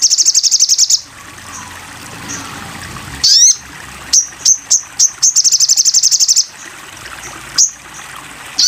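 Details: Crimson sunbird song for training: a rapid high trill of thin ticks, a quiet gap, a buzzy rising phrase, then separate high chips that speed into another fast trill, with a last sharp note.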